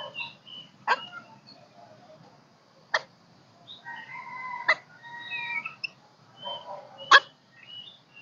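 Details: Caged golden-crested myna singing as a flock-calling stimulus, not fully in song: loud clicks at intervals of about two seconds between whistled and chattering notes.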